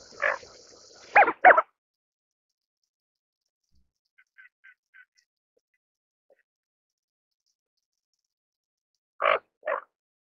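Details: Greater scaup, also called bell duck: a quick run of three harsh raspy notes, a few faint soft ticks, then a pair of rough growls after a long quiet pause.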